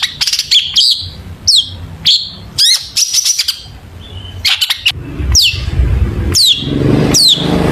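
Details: Lure recording of a long-tailed shrike singing hard with a full mimicry repertoire: bursts of high chirps and steep descending whistled slurs every second or so, separated by short pauses, with a faint low rumble behind.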